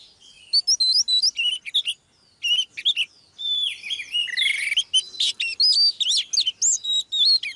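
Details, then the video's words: Oriental magpie-robin female used to stir a male into full song, giving sweet rising and falling whistles mixed with scratchy chatter, a short silence near the middle, then busy, varied phrases to the end. "chòe than mái KÉO TRỐNG LÊN ĐIỆN"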